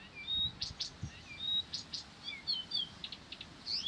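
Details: Persistent song of a Blyth's reed warbler: thin, clear whistled notes and brief chirps at high pitch, alternating long flat tones with quick downslurred and rising figures, with soft low thumps early on.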